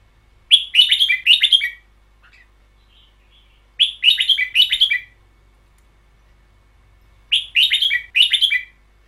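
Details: Caged red-whiskered bulbul from a song CD in the style called 'double long' (เบิ้ลยาว): short bright warbled phrases of several quick notes, repeated about every three and a half seconds with silent gaps between.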